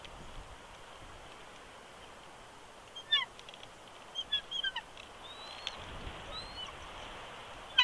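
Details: Wild bald eagle at its nest at Big Bear Lake, California, on 20 January 2020, whining and protesting while its mate coaxes it off the eggs; faint, high thin chirps and short whistled slurs in brief bursts over a steady hiss.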